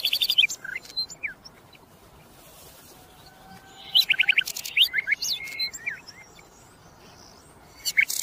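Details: Common nightingale, known locally as sikatan londo, singing in bursts of high, varied phrases: quick rattling trills, sharp chirps and short whistled notes, separated by pauses of a second or two, over a faint steady background hiss.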